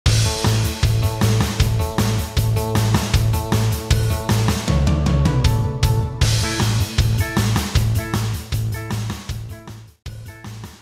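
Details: Loud rock music with heavy bass, guitar and a steady driving beat, and no animal voice to be heard.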